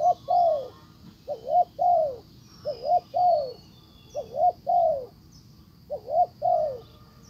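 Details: Spotted dove decoy cooing to attract a wild dove; five phrases of a rising-falling double coo then a longer sliding coo, evenly spaced, with a thin high hum and faint chirps behind.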